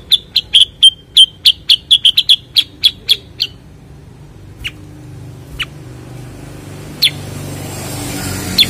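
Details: Bulbul known as cucak kurincang, kutilang sutra or kuniran: a fast burst of about fifteen crisp, clicking chips in three and a half seconds, then a few scattered chips amid faint background hiss.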